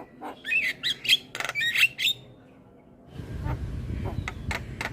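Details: Javan myna song meant to prompt silent mynas: a short cluster of harsh squawks and buzzy whistles, followed by quieter scattered notes over a rumbling background.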